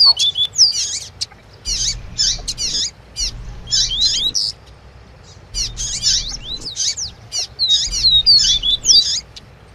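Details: Double-collared seedeater singing tui tui with a female's call to stir the male: fast, high buzzy and whistled phrases in bursts, with clear rising and falling sweeps and short pauses between bursts, over a faint low hum.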